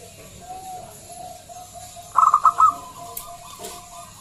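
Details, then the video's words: Local zebra dove with a big, loud voice, used as a lure to draw other doves into singing; a short burst of quick stuttering notes, with faint drawn-out tones before and after. "Pancingan Perkutut lokal SUARA BESAR"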